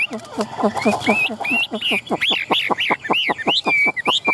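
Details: Caged Chinese hwamei, a tame bird with fanned tail and raised, flapping wings, sings a rapid string of sharp descending notes and arched whistles. Men's voices talk over the first part.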